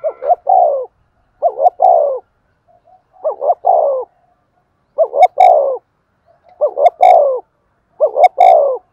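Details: Spotted dove in a vigorous Thúc Gù cooing sequence used to call wild doves to the perch. Six evenly spaced phrases, one every one and a half seconds, each two clipped notes leading into a longer falling coo, with light clicks.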